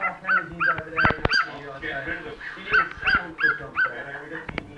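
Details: Cockatiel copying the household dog's bark: rough, clipped yaps repeated roughly three times a second in uneven runs, with a few sharp clicks and faint room noise.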